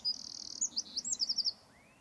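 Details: A short Eurasian wren phrase: a sustained high buzzy trill, then a quick run of sharp clipped chips that ends abruptly.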